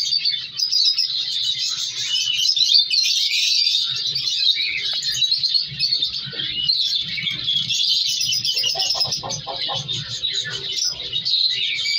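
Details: Breeding colony of captive African color lovebirds, including color mutations, with chicks being moved apart; sustained shrill chattering from a crowd of birds, rising and falling in loudness, over a low mechanical hum.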